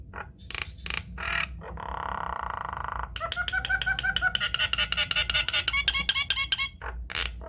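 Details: Nias hill myna masteran, a lure to provoke other mynas to sing: a few harsh bursts, a long grating buzz, then a fast string of repeated whistled chirps, rising and falling, ending in squawks.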